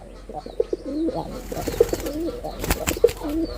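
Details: Male red-bordered wild pigeon performing, delivering quick, low, throbbing coos that wobble up and down in three short bursts, with a sharp clatter near the end and faint chirps.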